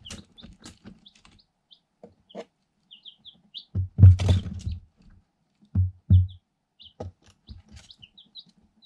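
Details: Eight one-day-old Light Sussex chicks in a cardboard box, pecking at a camera and a hole; sparse high cheeps and short peeps, interrupted by loud low thuds and bumping in the middle.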